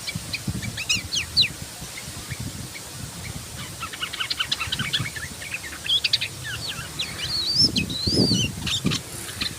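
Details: Sooty-headed bulbul singing in a lively, nonstop 'gacor ngebren' style: rapid bursts of short whistled and chirping notes, some rising and falling, in quick overlapping phrases, with low rustling and background noise throughout.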